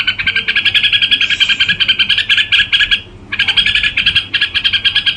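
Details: A red-whiskered bulbul sings a fast, steady run of bright, slightly buzzy chattering notes, about four or five a second, with one short pause midway.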